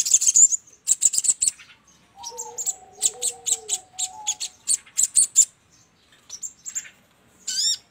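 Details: Sogon used as a trapping lure, giving rapid bursts of thin, sharp, high-pitched chirps in clustered runs with brief pauses, a few soft lower gliding whistle tones in the background.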